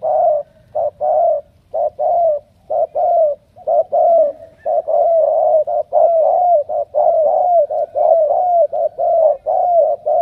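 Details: Spotted dove, Cà Mau, Vietnam, a chosen strong cooer, delivering a long, almost unbroken run of deep coos, short and long notes alternating rapidly, roughly one per second, loud and clear over near silence.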